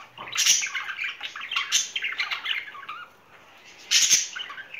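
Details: Spring-courting budgerigar pair chattering indoors: bright scratchy warbles and sharp squeaks, a short lull after three seconds, then a loud harsh burst.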